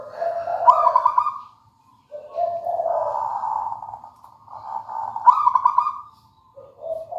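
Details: Local zebra dove singing: rolling, trilled cooing phrases that waver between lower and higher notes, with faint low rumbling in the background.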